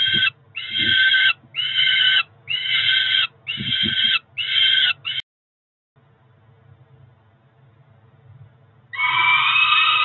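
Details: Peregrine falcon chicks roughly four weeks old, two siblings at the Cromer nest, begging as food arrives in June; a run of harsh rhythmic wails about once per second, then near silence, then screeching resumes loudly at the end.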